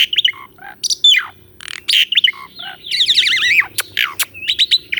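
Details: Asian pied starling song, filmed on a Sony A6400 and meant to tutor a caged starling that has stopped singing: varied whistles, sharp falling slurs, harsh noisy bursts and a rapidly warbling wavering phrase.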